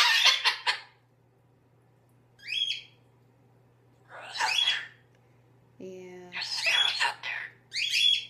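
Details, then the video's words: An anxious 8-year-old male citron-crested cockatoo gives harsh, breathy bursts of mimicked talk in about five spurts, seemingly saying "scare-ow", his own word for anything scary, after a crow outside. A person's voice is heard briefly. "Talking scared cockatoo"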